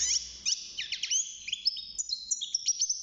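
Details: European goldfinch, young and kept in a cage, six months old and newly singing: tumbling rapid chirps at first, then level high whistled notes and crisp twitters.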